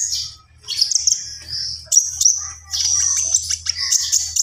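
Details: Konin, or Javan pied starling, in full 'gacor full isian' song: high squeaky notes, a sharp whistled phrase near the middle, then a long run of rapid, jumbled chatter over a steady low hum.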